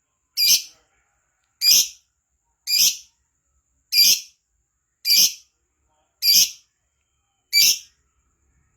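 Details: Gacor lovebird, played as a lure to get lovebirds singing fast, giving harsh high buzzy chirps repeated roughly every second in a steady series against a quiet background.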